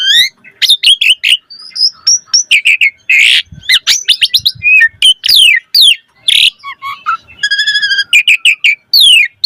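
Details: Chattering, varied 'gacor' song of an Asian pied starling meant as a lure for other starlings: sharp chips, thin high whistles, harsh squawks, descending slurs and a buzzy mechanical trill, no background noise.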